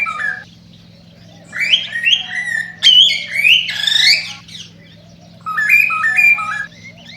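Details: Cockatiel song played to stimulate breeding: harmonic whistled phrases, a stepped series of short notes, then louder rising and falling squawky whistles, with a brief pause before another stepped run; a faint steady low hum underneath.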